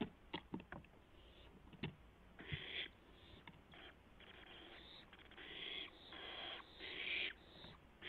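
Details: Barn owl owlet flapping and testing its wings on a nest camera, April 12, 2016, shortly after midnight; repeated rasping hisses of varying length mixed with many sharp clicks, scratches and wing-rustling sounds.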